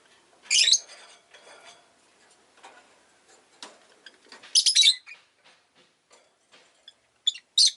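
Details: Pet rosy-faced lovebird giving loud, harsh, high chirps in short bursts near the start, middle and end, with quieter clicks and faint street noise between.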